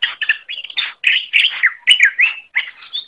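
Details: Greater green leafbird training song: quick, scratchy chirps mixed with clear whistled slurs, delivered in short bursts several times per second, the phrases varying in pitch and ending on a high thin note; nothing else audible.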